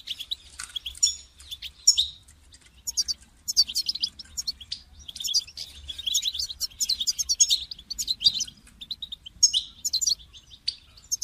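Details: European goldfinch call to make a caged goldfinch sing, a long, steady stream of rapid, liquid twittering and metallic high chirps with only short breaks.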